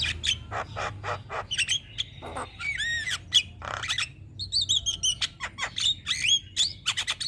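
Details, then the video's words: Caged Javan myna in full song, heard as master material to stimulate other birds: a varied jumble of harsh squawks, clicks and looping whistled notes, with bursts of rapid chattering and sharp high whistles. "Burung Jalak Kebo Gacor Mental Juara Tetap Bunyi Siang Malam Pas Buat Masteran dan Pancingan"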